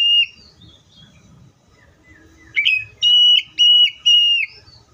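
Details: Oriental magpie-robin singing steady, flat whistled notes, some with quick slurred ends, in a loud run of three drawn-out tones near the end after a quieter soft warbling passage.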